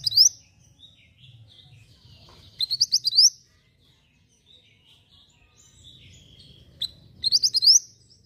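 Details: Javan white-eye in lively song for tutoring other songbirds: two quick bursts of high, piercing upslurred chirps several seconds apart, with soft thin twittering and low background hum between them.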